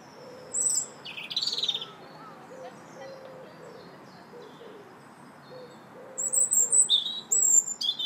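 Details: Robin singing in a park on March 2nd: two bursts of high, thin warbled phrases separated by a pause, over a steady run of soft, low repeated notes like distant cooing.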